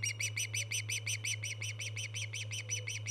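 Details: A steady, rhythmic series of high, ringing chirps from an Osprey at a streamed nest camera, 24 August 2014, notes evenly spaced and rapid throughout, with a faint continuous background hum.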